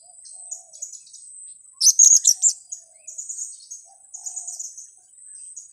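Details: Lure sound for trapping blue-crowned hanging parrots: one loud cluster of sharp, piercing high squeaks around two seconds in, with quieter thin twittering notes scattered before and after.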